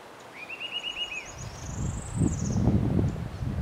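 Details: A male Green-backed Becard at UHE Fundão, Pinhão, Paraná, Brazil, gives a quick run of about seven sweet, even notes, then a higher, thinner rising-and-falling series, over low rumbling wind noise.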